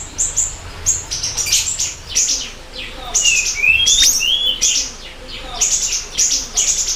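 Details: Loud siri-siri bird song, a lure and master recording: clusters of shrill high chirps roughly every second, with a few lower sliding whistles near the middle and quiet gaps between phrases.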